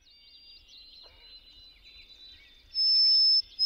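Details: White-throated Sparrow song, rendered as "oh sam peabody peabody peabody": a long, steady, pure clear whistle, then a louder, higher whistle, over busy chirps from other birds.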